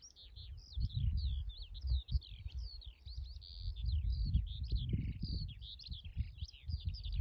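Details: One skylark in sustained song, pouring out fast warbling twitters, buzzy notes and rising and falling whistles without a break, with strong low wind rumble underneath.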